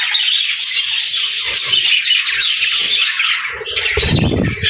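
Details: Budgies chirping and singing together in a dense, continuous high twittering chorus, with chattering warbles layered throughout and a brief flapping or rustling thump near the end.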